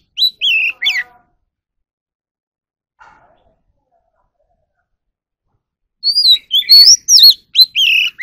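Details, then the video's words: Oriental magpie-robin in a singing contest, opening with a short burst of whistled notes, then a long quiet pause with one faint sound. It resumes with a dense, lively flurry of rising and falling whistles. "Chò than luyện giọng || choè than hót đấu"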